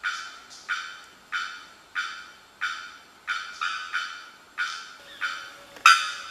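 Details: Bearded bellbird on the grounds of Asa Wright Centre, Trinidad, 2020, giving loud, hard, clanging 'bock' notes, repeated steadily about every two-thirds of a second, each ringing briefly before fading.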